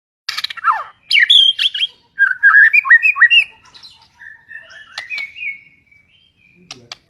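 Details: White-rumped shama, a white form said to be very rare and found only in the mountains of East Kalimantan, Borneo, singing a varied phrase: a harsh opening note, then loud rapid whistled and slurred notes, softening into thin trailing whistles.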